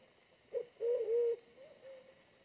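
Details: Wild pigeon in decoy trapping, body smaller than the lure bird yet very aggressive: a brief note, then a loud, throaty wavering coo trailing into a soft level hum, steady insect whine behind.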